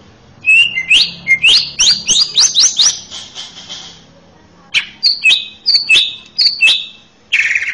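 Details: Rising whistled notes climb step by step in this male greater green leafbird master song for training young birds, followed after a pause by repeated downslurred whistles and a final hissing burst.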